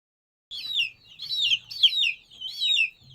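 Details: Domestic chicken chick peeping: after a brief silence, four loud, high, whistled peeps, each sliding downward, come roughly every half second.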